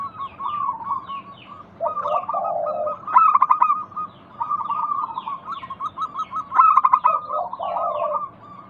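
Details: Zebra dove song used to get other doves calling: repeated rolling phrases of rapid, clipped coos, each opened by a low purr, with louder bursts near three and seven seconds. Small birds chirp faintly behind.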